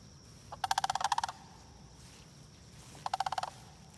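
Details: Sandhill cranes at a retention pond in Marion-Dunn Prairie give two short, loud, rattling rolled calls, each a rapid burst of pulses lasting under a second, over a steady high insect-like whine.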